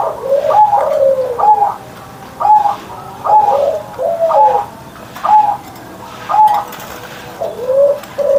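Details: Caged zebra dove's morning song, delivered strongly in the 'ngerot' style: short paired coo phrases, a low note sliding into a higher one, repeated about once a second.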